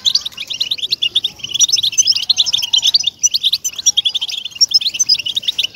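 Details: European goldfinch song played to motivate captive goldfinches to sing: dense rapid twittering of short chirps and buzzy notes, high-pitched and continuous, with brief pauses near the middle and faint low background hum.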